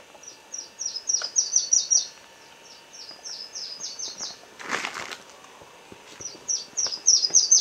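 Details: Booted racket-tail of the discifer subspecies giving rapid, very high, thin chipping notes in uneven runs, several per second, broken midway by a brief rushing burst like wing noise, then more high chips.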